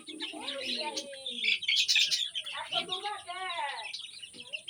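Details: Fayoumi chicken giving a run of harmonic, arching calls that rise and fall, several in quick succession, over constant high-pitched chirping from many small birds.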